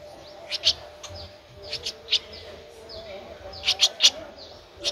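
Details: Streak-eared bulbul nestling, 13 days old, at Ubon Ratchathani, Thailand, in April: thin high chirps in brief clusters of two or three, separated by pauses, over a steady low hum.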